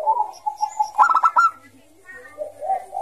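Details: Bangkok zebra dove in ngayer song, a lure for young doves: wavering low coos lead into a quick run of clipped notes, then faint cooing resumes.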